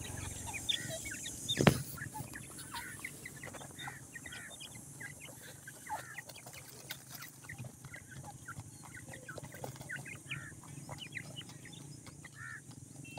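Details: Grey francolin (teetar) chicks, about ten days old, calling while being fed: many short, thin high peeps scattered densely throughout, some overlapping, over a steady low hum, with a single sharp knock near the start.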